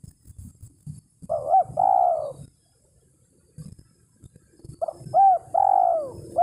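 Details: Spotted dove call for luring a rival: two phrases, each of short quavering coos and a long falling coo, separated by a quiet stretch, with low thumping and rustling noise throughout.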